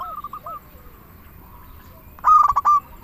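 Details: Local zebra dove (perkutut) song for luring doves or prompting them to sing: soft distant rolling coos at first, then a loud quick phrase of stuttering pulsed notes closing in a held tone.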